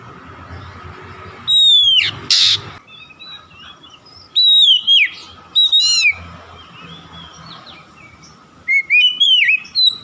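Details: Oriental magpie-robin (kacer) song used as a lure to prompt other kacer to sing: bursts of varied, sharp whistled notes, rising and falling slurs in quick phrases. A steady low hum runs underneath, with one noisy burst early on.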